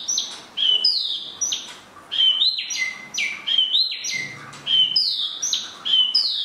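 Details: Spot-throated babbler, called tieu mi, sings clear whistled phrases. Each phrase holds a high note, then slurs down to a lower one. The phrases repeat about every second in a steady, lively run.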